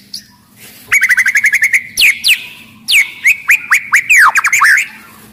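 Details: An aggressive white-rumped shama sings loudly as a lure for quieter shamas: a rapid, even trill of about a dozen notes, then sweeping downslurred whistles and sharp chips in quick succession.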